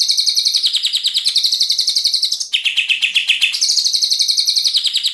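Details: Dense rapid-fire 'tembakan' song of a white-rumped shama, recorded for training birds: a loud, unbroken rattle of high notes that steps down in pitch midway, then jumps back up.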